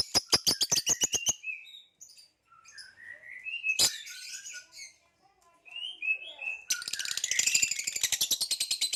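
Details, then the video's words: Captive green hybrid male and Lilianae Nyasa lovebirds: a rapid train of scratchy chirps, a pause filled with soft rising squeaks, then a long buzzy rattling chatter. "Green Hybrid and Lilianae Nyasa Lovebird Singing & Chirping Sounds"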